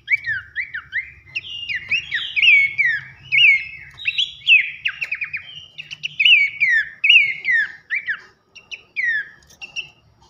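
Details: Loud, whistled song of Abbott's babbler for training songbirds: a continuous stream of overlapping falling and rising slurred notes with scattered ticking trills, slowing into spaced whistles toward the end.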